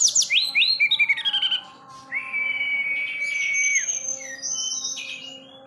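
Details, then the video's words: Forktail (tledekan gunung), a captive bird in full song, giving a fast run of shrill, falling whistles, then one long level whistle and high thin notes, over a steady low electrical hum. "tledekan gunung/sulingan gunung gacor cari lawan"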